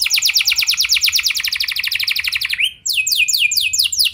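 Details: Canary song, a long lively recording meant to get other canaries singing: rapid trills of repeated downward sweeps, then a brief pause and a new phrase of slower, higher falling notes.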